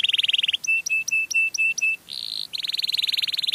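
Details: Canary song to draw in others of its kind: a buzzy trill, a row of clipped steady whistled notes, a short buzz, then another fast trill.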